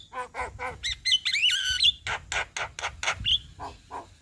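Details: Javan myna in full daytime song in front of a house: nasal honking notes, then a buzzy drawn whistle, followed by a steady run of harsh rasping bursts about three per second.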